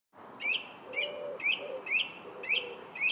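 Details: Song thrush singing in July, a repeated phrase of short whistled notes with upward flicks near the top, given about twice a second; a soft low cooing from another bird, likely a dove, runs beneath.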